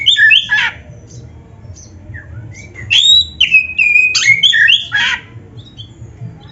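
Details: Oriental magpie-robin song meant for training caged birds: scattered whistled phrases and harsh chirps separated by quiet spells, some notes sliding up and down.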